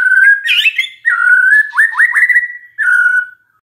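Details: Magpie-robin lure song to stir a non-singing bird: long, loud sustained whistles, a harsh rasping burst, then quick upward-flicking notes and a final steady whistle fading out.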